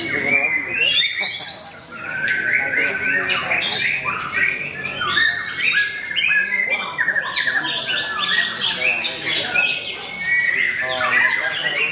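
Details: White-rumped shama in a contest at Mahendra Arena, a debutant that reached the podium, pours out long varied whistled phrases and fast repeated notes; several other birds and background talk overlap.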